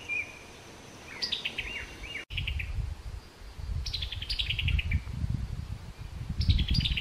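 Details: Summer tanager uttering its chuckling call note in summer, several quick descending runs of sharp chips, a brief click midway, and heavy low rumbling noise through the later part.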